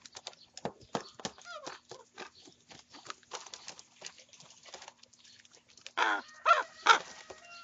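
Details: Eating young common ravens squabbling over breakfast: clicking, pecking and rustling, then three loud, harsh, buzzy squawks close together near the end.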